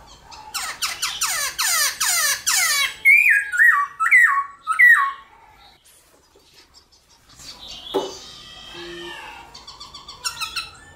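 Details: Black-throated laughingthrush singing in the morning, a fighting song used to stimulate other laughingthrushes: a loud run of harsh, ringing notes, then rising whistled phrases, followed by quieter mixed chirps.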